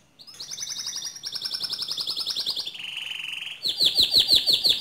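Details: Canary singing vigorously to coach other canaries: a long rapid high trill stepping down to a lower buzzy roll, then a run of repeated bright descending chip notes.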